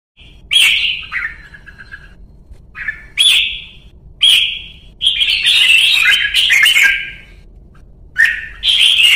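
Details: Red-whiskered bulbul from Vietnam, a kept bird in ché song training. It gives bright, liquid whistled phrases in separate bursts, spread over about nine seconds with quiet gaps between them, and one longer tumbling run in the middle.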